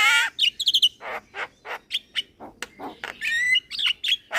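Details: Young Javan myna in full voice, nodding its head as it sings: a varied medley of harsh squawks, grating rasps and brief bright whistled notes, delivered in a quick, uneven stream with short pauses.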